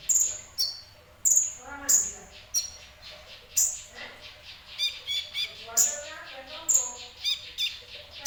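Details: Sunbird, called kolibri ninja, singing in a semi-gacor style: sharp, very high chirps and short buzzy notes, given in quick bursts with irregular pauses, over faint lower voices.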